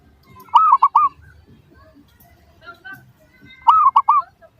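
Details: Zebra dove song played as a lure to draw replies from other doves: two short phrases about three seconds apart, each of four quick, rounded cooing notes with the first drawn out, over a faint low background murmur.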